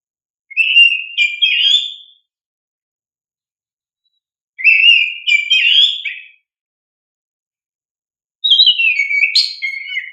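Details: Vigorously singing oriental magpie-robin, recorded as a lure to prompt young caged birds to respond; three clear whistled phrases, each about a second and a half long, with warbled twists, repeated roughly every four seconds in silence.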